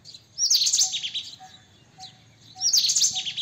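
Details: Loud high-pitched chattering of a White-throated kingfisher, two harsh rattling bursts roughly two seconds apart, with a faint evenly spaced ticking note and a soft chirp between them.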